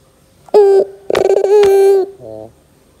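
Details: Barbary dove, pelung type, on a lure track for young doves: a brief coo, then a fast stuttering roll into a long level coo, with a short raspy note to close.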